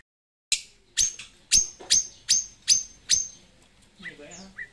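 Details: Loud Pasaman white-rumped shama, an Indonesian caged bird kept as a song tutor and known for 'ngerol nembak' delivery: seven sharp, ringing high notes fired about every 0.4 seconds, followed by softer warbled phrases.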